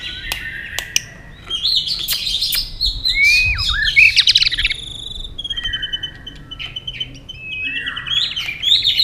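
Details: White-rumped shama in a competitive song duel, tail flicking fast: varied sweeping whistles and scratchy notes, followed by drawn-out level whistles and a final burst of high chatter.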